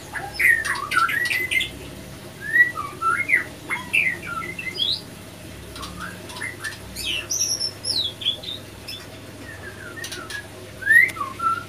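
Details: Male and female white-rumped shama fighting each other as a pairing fails; scattered sharp chips, upslurred squeaks and short whistled notes in irregular bursts across about twelve seconds, with clicking sounds and a low background hum.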